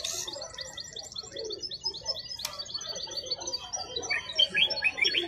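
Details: At Griaa bird market, a wild-caught European goldfinch pours out a rapid twittering song of repeated buzzy trills and tinkling notes, with a sharp click midway and faint background chatter.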